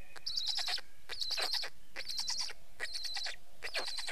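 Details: Black stork giving loud, rasping, squeaky bursts, five in four seconds, each a quick run of pulses with a whistled overtone.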